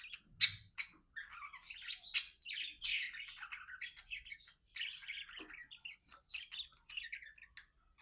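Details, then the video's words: Two pet budgerigar companions singing and playing indoors: a continuous rapid warble of chirps, buzzy trills and squeaky notes running throughout, with a low bump near the start. "Budgie Best Friends Talking, Playing and Singing"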